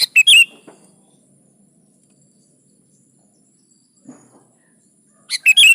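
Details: Sooty-headed bulbul in energetic song (gacor) for encouraging other bulbuls to sing: a chirpy whistled phrase opening and another closing, with a soft thud between and quiet pauses.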